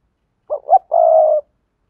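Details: Short spotted dove phrase used to lure wild doves: two quick rising notes followed by a sustained, steady, mid-pitched purring coo, in sa thúc and crowing style.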